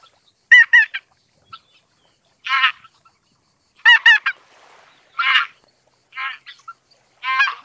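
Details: Sparse, sharp, laughing double and triple honks from a greater white-fronted goose, separated by quiet gaps of one to two seconds.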